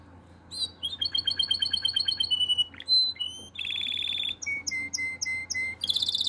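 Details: Canary in breeding condition, singing to attract the female. Loud trilled rolls of fast repeated notes change every second or so, from a pulsing chatter to a sustained buzzy roll to clear whistled repeats, ending in a high rattle.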